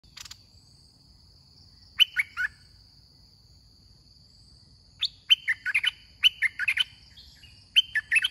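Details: Caged red-whiskered bulbul used as a decoy in a trapping contest. It gives short bubbly, warbled phrases: one brief burst, then a pause, then several quick chattering phrases in succession. A steady high hum runs throughout.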